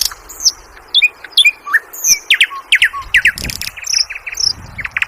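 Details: Sikatan londo flycatcher singing a varied song: quick sharp chirps and short whistled notes, some sliding up or down, delivered in irregular bursts with brief pauses, and a faint insect-like hiss underneath.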